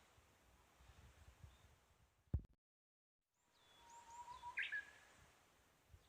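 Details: Japanese bush warbler singing in spring near a home, unseen: a faint, low steady whistle, then a quick higher flourish, set among other small birds' thin chirps and background noise.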